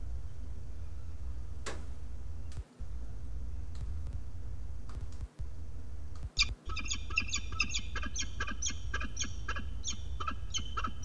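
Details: Peregrine falcon on a nest-camera ledge, May 2022, flying at a stranger falcon heading for the nest; a few sharp clicks and knocks first, then a sustained run of rasping, rapidly repeated cacks over a low hum.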